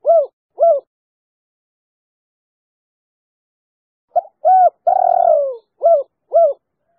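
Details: Female spotted dove of the three-note coo type, used as a lure that coaxes companions into calling. Two soft coos are followed by a pause, then a full phrase: a short lead-in, a coo, a drawn-out falling coo and two quick coos.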